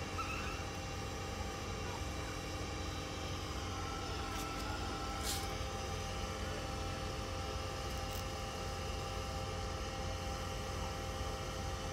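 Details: Steady engine and vehicle rumble with a low hum fills the recording, and no animal calls stand out.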